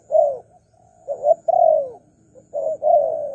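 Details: Lure call of a spotted dove for wild doves, given as a few drawn-out, mellow coos, some slurring downward, in an uneven, slow sequence with faint low background noise.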